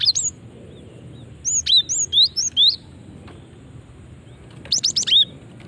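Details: Female cinereous tit giving lure calls meant to attract other cinereous tits: a lone high note, then a run of six slurred downward whistles, and finally a dense burst of thin chirps.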